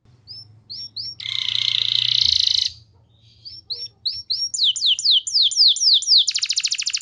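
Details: Canary song used to stir other canaries into singing: scattered high chips, a long harsh buzz, a quiet gap, then swooping downslurred notes and a very fast high trill. A faint low hum sits underneath.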